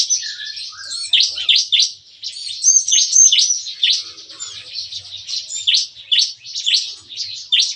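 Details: Morning chorus of captive bar-winged prinias in an aviary, described as shooting-like: fast bursts of thin, high chirps and steep falling notes, repeated in quick clusters with hardly a gap.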